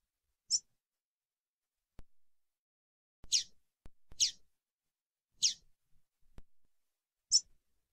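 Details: Female double-collared seedeater (coleiro) calling to stimulate a male: five short, sharp, high chips at irregular intervals, with faint clicks between them and otherwise silence.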